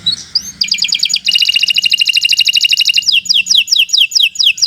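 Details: Canary singing long and loud for use as a lure: a soft opening, a dense rapid rattling trill, then a row of short repeated sharp notes.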